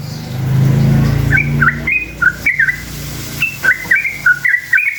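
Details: Yellow-vented bulbul song meant to draw replies from other bulbuls: after a second of low rumbling noise, quick liquid two-note whistled phrases follow in short bursts, dropping and rising, with a pause before a final lively run.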